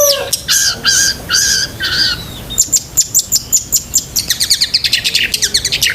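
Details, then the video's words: Long-tailed shrike in lively, varied song full of fill phrases, used to train pet shrikes: a run of rising slurred whistled notes, then quick dry ticking chips repeated several times a second and high sharp tweets. "BURUNG CENDET GACOR ISIAN SEKEBUN"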